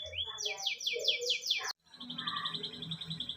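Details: Canary song used to prompt a pet canary to sing: rapid repeated downward-sweeping buzzy notes, then a brief gap followed by a fast high trill with softer lower warbles.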